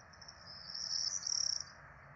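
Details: Feeding time for four Peregrine falcon chicks in a nest in Rome, 12 April 2024: an intense, piercing high whine builds, then ends in a rapid run of stuttering pulses, with soft background noise.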